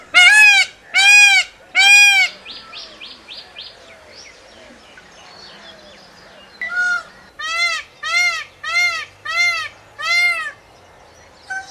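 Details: Peacock screaming: three loud, arched, harmonic wails in quick succession, then a quieter stretch with faint calls, then a steady run of seven more ringing cries about half a second apart.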